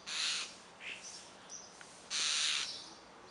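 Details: Common starlings produce two loud, rasping, hissy calls a couple of seconds apart, with faint softer notes in between.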